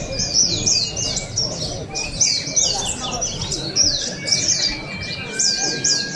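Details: Oriental white-eye song at the 2023 Pesta Bederun Balingian open singing contest in Sarawak: clustered bursts of very high, rapid chirps every second or so, a long steady whistle mid-clip, and faint crowd chatter.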